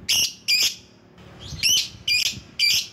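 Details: Lovebird recording for luring rivals: loud, harsh, buzzy shrieks given singly or in pairs, five in three seconds.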